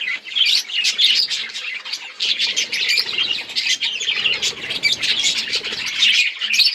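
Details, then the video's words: Budgerigar: several budgies chirp at once on 26 October 2023, a dense, bright chatter of quick warbles and squeaky notes that runs without pause. "Budgies beautiful colors and chirping sounds"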